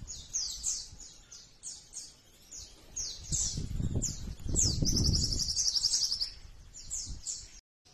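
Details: A Crimson Sunbird, recorded as a tutor and lure song, gives rapid, very high, thin chirps several per second, breaking into a fast buzzy trill midway, over low background rumble.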